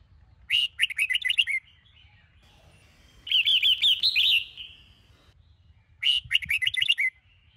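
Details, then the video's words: Red-whiskered bulbul, Sông Kôn style, singing in the morning for song training. Three similar phrases of rapid, sharply chopped whistled notes, each lasting about a second, arriving every few seconds. "Chào Mào Sông Kôn - Luyện Giọng Hót Hay | Luyện Chào Mào Bổi Hót Sáng"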